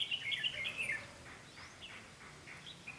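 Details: Red-whiskered bulbul decoy singing competitively during trapping of wild bulbuls, 12 August 2016: bright warbled phrases of quick rising and falling notes in the first second, then softer scattered chirps over low background noise.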